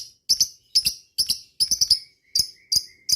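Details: Lovebird calling rival birds with ngetik ticks: loud, piercing double and triple chirps every half second or so, with a thin faint whistle between them.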